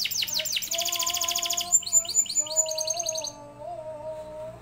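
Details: Canary singing, recorded as a training master for other canaries: quick high sweeping notes roll into a dense buzzy trill and then brisk chips, with sustained low tones underneath before the song fades.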